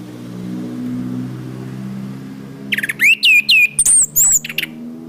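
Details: Orange-headed thrush master song for cage-bird training: steady low hum for nearly three seconds, then a lively burst of looping whistles repeated several times, rising to very high squeaky notes.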